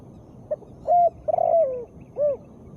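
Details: Female spotted dove call for stimulating lazy birds: a faint short note, a level coo, a drawn-out tremulous coo falling in pitch, and a final arched hoot over soft hiss.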